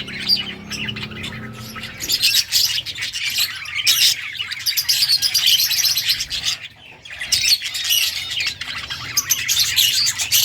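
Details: Several yellow budgerigars, Australian parrots, chirping on August 6, 2024: dense continuous warbling chatter with rapid scratchy notes, a brief lull near seven seconds, over a faint low hum.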